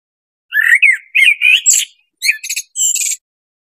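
A blackbird sings short, mellow warbled phrases that end in thin, high squeaky twitters, with brief pauses between them and no other sounds.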